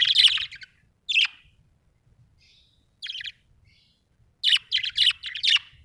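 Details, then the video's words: Happy budgerigar chirping, Australian bird: bursts of scratchy, buzzy chirps with quiet gaps, a cluster at the start, single notes near one and three seconds, then a rapid run of chirps at the end. "happy budgie chirping sound"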